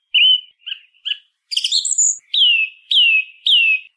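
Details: A song thrush sings, its song heard nearly all year though less in winter: varied short notes, a high squeaky phrase, then three loud downslurred whistles repeated about every half second. Nothing else audible.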